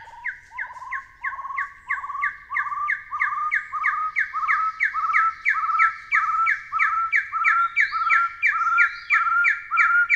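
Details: A Taiwan Partridge (Arborophila crudigularis) gives a long, steady series of short, rising whistled notes, about three each second, loud and clear over a quiet background.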